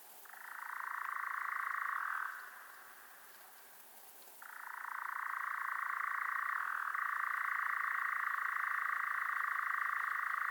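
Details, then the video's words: European Nightjar churr that starts, carries on for two seconds, then stops for about two seconds. It resumes as a long, even, rattling trill with a slight step up in pitch partway through. "European Nightjar"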